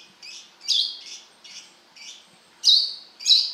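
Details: Brown-throated sunbird (kolibri kelapa) giving wiceh notes, sung gacor. Soft high chirps grow into two loud, sharp, slightly buzzy chips near the end, spaced about half a second apart.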